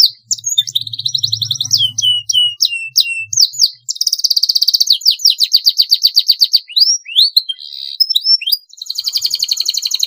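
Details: Lively canary singing a long rolling song meant as a master recording to train and prompt other canaries: rapid downward-swept chips, then long fast rattling rolls and high whistled slides, with a brief low murmur early on.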